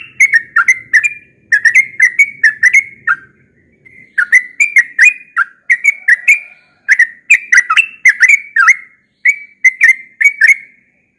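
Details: Long yellow-vented bulbul song, the species noted for frequent morning singing: repeated bursts of rapid, gurgling whistled notes, each phrase of five to eight notes broken by short pauses, clear over a quiet background.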